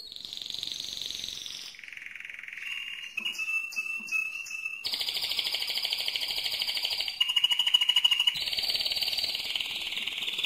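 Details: Mosaic canary singing loudly: a chain of high sustained tours, shifting from smooth whistled notes to fast buzzy trills and rapid clicking rolls, each held a second or two before switching.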